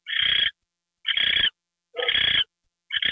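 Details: Owl with a mouse treat, 9:33 PM, January 28, 2013: three and a half drawn-out, raspy hissing bursts, each about half a second, separated by clean pauses of similar length.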